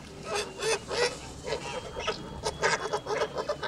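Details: White male Kholmogory goose aged two months and 26 days, farm recording from 20 August 2017: short harsh honks in uneven bursts, some louder and higher, over a faint thin whine.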